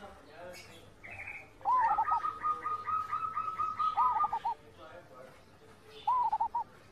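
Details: Zebra dove song used as master audio to train birds to sing: after a brief voice, a steady whistled tone with stuttering pulses, then a short cooing phrase of quick fluttering notes near the end.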